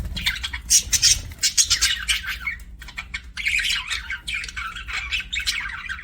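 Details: Budgie chatter: a burst of loud clicking, rasping notes early on, then a steadier stream of mid-pitched warbling chirps and squeaks, with a quiet background hum.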